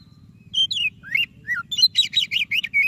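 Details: White-rumped shama singing a lively song meant to prompt a quiet shama to sing: clear whistled notes and slurred phrases, then a fast run of bright, ringing syllables repeated in quick succession, over a faint low hum.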